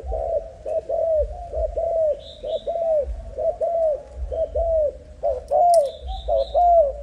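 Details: Young Malaysian-strain spotted dove cooing steadily: paired hollow notes, a short coo followed by a longer arched one, repeated about once a second, with faint high chirps from other small birds in the background.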